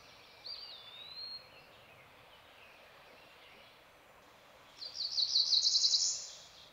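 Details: Cerulean warbler singing along a stream in the Ozark Plateau of Missouri: a thin high slurred phrase near the start, then after a pause a rapid buzzy trill rising at the end, over steady rushing water noise.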